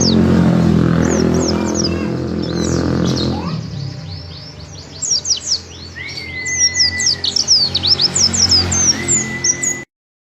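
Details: Mountain white-eye (pleci) singing 'gacor': after several seconds of loud low rumbling noise, a dense stream of high, rapid twittering notes builds, broken by a couple of long, level whistles, before cutting off abruptly.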